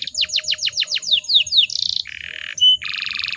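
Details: Female canary calling to provoke males to sing: a rapid series of descending whistled sweeps, then buzzy trilled rolls, a brief pure whistle and a dense rattling trill, all high-pitched and clear.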